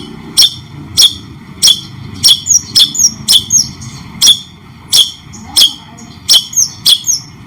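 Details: White-rumped shama, cendet-style training recording for tutoring other birds: sharp, clicking notes with bright whistled accents, repeated roughly every half second, with short gaps between them and a faint low hum behind.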